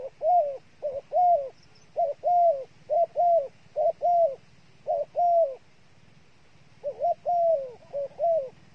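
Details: Dove kept as a bait bird, cooing steadily: short arched notes grouped in pairs and threes, a brief note followed by a longer one, with a short pause between groups and a low hum beneath.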